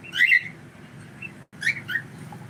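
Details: Domestic cockatiel uttering a bright, squawky whistled call, then after a brief pause two more rising chirps, above a steady low room rumble.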